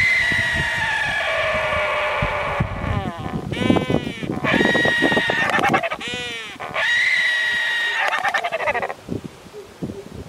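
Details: A male wandering albatross gives braying, rising-and-falling harmonic calls in several rough, wheezy bursts during its courtship 'sky calling' display, Prince Edward Islands, sub-Antarctic, 26 December 2016, breeding season; background music plays throughout.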